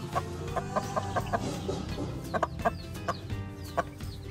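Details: Free-ranging hen with her week-old chicks in Sialkot, Pakistan, busy feeding; a quick run of low, rhythmic clucks, then scattered single clucks, a few faint chick peeps, and steady background music.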